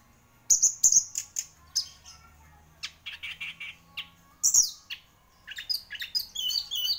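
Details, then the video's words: Orange-headed thrush singing in a lively, show-quality manner: varied bursts of high whistled and buzzy notes, some sharp downslurred phrases, with short pauses between phrases. "Burung Anis Merah Gacor Juara"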